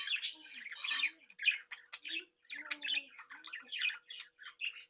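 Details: Budgerigars in a breeding group chattering happily indoors: rapid warbling and chirps over a low droning hum, dense at first then broken into quick scratchy notes.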